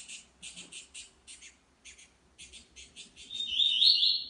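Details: Wild saffron finch in nature: a high, bright warbled phrase near the end, over an irregular train of short, buzzy chirps repeated roughly twice a second.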